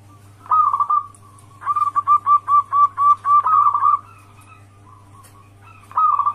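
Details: Wild local zebra dove calling, used as a lure so other zebra doves answer: low mellow coos in a rhythmic series of about eight evenly spaced notes, then a pause and a fresh phrase, over a steady low hum.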